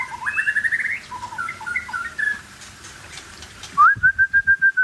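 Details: Aceh white-rumped shama with a quick stuttering whistled phrase and scattered slurred notes, then a loud, steady series of about seven pure whistles repeated evenly near the end.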